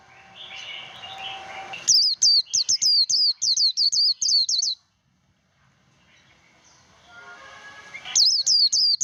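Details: White-eye líu fighting song, played as voice training to stimulate young birds: a fast run of clipped, high, rising-falling whistled notes, about nine in two seconds. A hissing, whooshing stretch comes before, then silence and another short burst.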